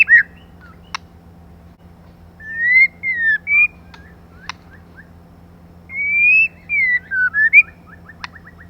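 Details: Female white-rumped shama, used as a lure to stimulate males, sings two long whistled phrases of rising and falling slurred notes with warbled ends, punctuated by sharp isolated clicks.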